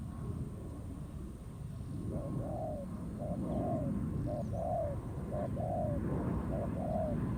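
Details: Wild spotted dove answering a decoy bird set in a ground trap, a fighting contest; after two seconds of low rumbling noise, soft low coos come in paired phrases, a short note then a longer one, repeated about once a second.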